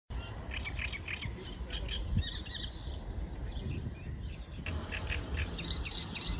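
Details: Great Reed Warbler at the Gatower Vernässung wetland on the Oder, on the morning of 23 May 2024, giving harsh, chattering notes repeated in uneven bursts, with other birds and low outdoor rumble throughout.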